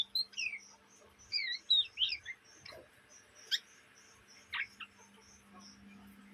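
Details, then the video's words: Young Oriental magpie-robin in ngriwik chatter, a juvenile said to call day and night in Indonesia: scattered short whistled slurs and sharp downward chirps with gaps between, a few high ticking notes, over a faint low electrical hum. "kacer bahan ngriwik siang malam"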